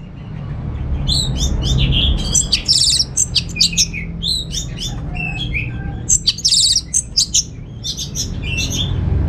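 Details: Home-kept orange-headed thrush in Singaraja, Bali, sings a dense burst of high twittering, buzzy trills and clipped whistles in quick succession, meant as a lure and tutor song for other birds, with a constant low hum underneath.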